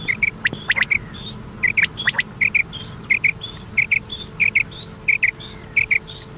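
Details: Common quail calling from an old cassette recording played through the night until morning: crisp, clipped notes in tight pairs and triplets, repeated at an even pace over a faint steady hum.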